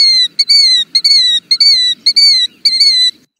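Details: A Killdeer gives its namesake two-note call six times in quick succession, loud and clear 'kill-deer': a short note, then a longer, slightly falling one, over a quiet background.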